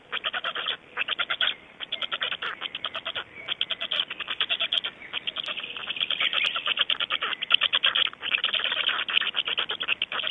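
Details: Black storks in Estonia at 05:15 on 26 May 2012, early morning, clattering: dry, rapid trains of wooden clicks in bursts under a second long, repeated almost without pause and rising and falling in loudness.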